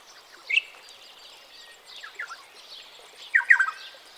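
Ethiopian Black-headed Oriole giving three short bursts of liquid, fluty notes about a second apart over a faint hiss of background noise.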